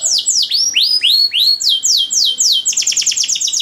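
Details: Canary tutor song with elaborate phrasing: slow, loud whistles sliding downward, each about a quarter second apart, then a sudden switch to a rapid stuttering trill of short high notes.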